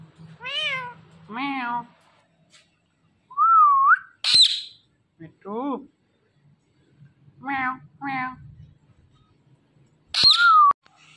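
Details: Indian ringneck parakeet kept as a talking pet, mimicking a cat's meow: several nasal wavering meow-like calls with pauses, plus two sharp whistled squawks; quiet room background.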